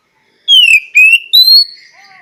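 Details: Oriental magpie-robin (kacer) giving three clear whistled notes: a long falling slur, a gently rising one, then a higher rising whistle, followed by a faint soft trailing note.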